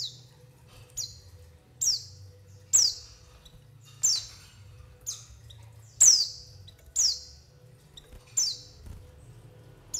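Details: White-eye calls played as a trapping lure: about nine shrill, piercing notes that each slide quickly downward, spaced roughly a second apart, with a faint low hum underneath.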